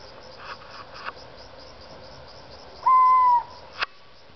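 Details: Young owl, now grown big, heard around its home area two months after it was first seen: a single steady whistled hoot lasting about half a second, over a constant background hiss and a few faint clicks.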